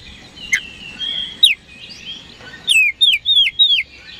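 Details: Oriental magpie-robin song to provoke rival birds into responding: a few scattered whistles and a quiet warble, then four loud, clear falling whistles delivered in quick rhythm.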